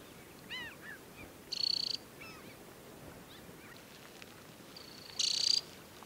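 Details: At Tinnhølen lake on Hardangervidda, Norway, in early July, an adult summer Temminck's stint gives two high, fast, pulsed trills, with scattered short whistled notes from other birds between them.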